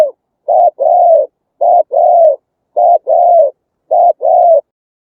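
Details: Spotted dove of Vietnamese rice fields and bamboo groves, played to lure wild birds: rhythmic paired coos, each a short note followed by a longer mellow one, repeated about every second, clean and steady.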